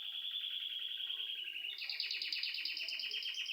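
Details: Indoor bird chirping at home: a steady high trill that shifts into a faster, two-toned rattling roll of rapid repeated notes.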